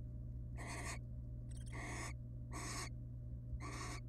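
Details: Wild barn owls at a monitored nest box, a pair beside their chicks as the female shows affection to the male; four harsh broadband hissing screeches, each about half a second, roughly one per second, over a steady low electrical hum.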